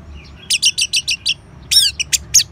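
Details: Orange-headed thrush ngeban song for stimulating caged birds: six evenly spaced high, dry chirps, then a richer warbled burst and a few sharp, separated notes.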